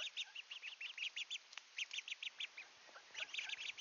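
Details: Ducklings rushing at the camera in Sainte-Adèle, Quebec, Canada, on a partly cloudy 25°C July 7, 2023 evening at 6:09 PM: a quiet stream of short, high peeps repeated several times a second, with a brief gap midway.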